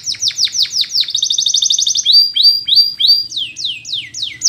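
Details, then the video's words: A Spanish Timbrado canary sings training song: high, quick tours of falling chips, then a rapid rattling trill, then slurred notes and downward sweeps, about three per second, over a faint low hum. "Spanish Timbrado Song"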